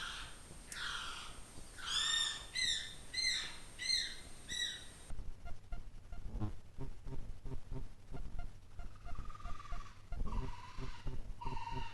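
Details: North Island brown kiwi pair calling at night within 500 m of Russell Wharf, New Zealand. Shrill, arching whistles about every half second mix with lower, hoarse rasping notes. The female's guttural rasp comes first and the male answers with a high-pitched excited call, a territorial, pair-bond greeting.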